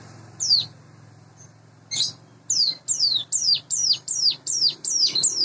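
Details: Caged, hand-reared Sunda bush warbler about eight months old, singing in the morning: after two isolated sharp notes, a run of high, downward-slurred chirps repeated about three times a second, over a faint low hum.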